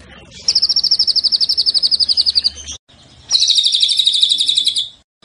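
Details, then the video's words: White-rumped shama song in two bursts: a rapid, even trill of high notes repeated about four per second, a short pause, then a second buzzy, dense trill. "MURAI GACOR BONGKAR ISIAN !!! MURAI BATU ISIAN MEWAH FULL TEMBAKAN"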